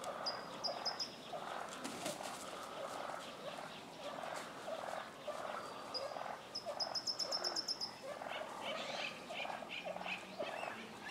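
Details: Tom turkey street fight in Willits, California, with other toms getting worked up. Repeated pulsed purring and clucking throughout, joined twice by a high pulsed trill from a small bird, the second one longer.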